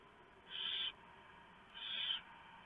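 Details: Barn owls at a nest at 3:59 AM on 3 November 2015 as the male delivers a huge mouse and the female shreds it for the owlets. Two harsh, hissing screech bursts, each about half a second long, separated by a pause of about a second.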